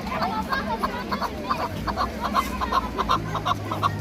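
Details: Rapid, regular chuck-chuck notes from a chukar partridge of the hunting and fighting kind, the pulses quickening slightly, with a continuous low drone in the background.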